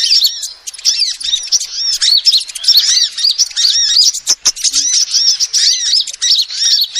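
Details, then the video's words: Female sunbird recorded as a lure sound: a steady stream of thin, high chirps and curved whistled notes, quickly repeated and overlapping, with a slight dip in loudness near the middle. "SUARA ASLI KOLIBRI BETINA"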